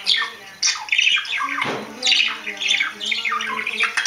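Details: Budgerigar (Melopsittacus undulatus) chattering indoors in quick, scratchy squawks and buzzy notes.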